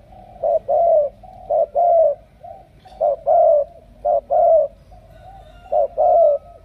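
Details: Spotted dove from Cà Mau, Vietnam, giving low, mellow coos. Each phrase is a brief lead note followed by a drawn-out slurred coo, repeated in an uneven rhythm with short pauses between.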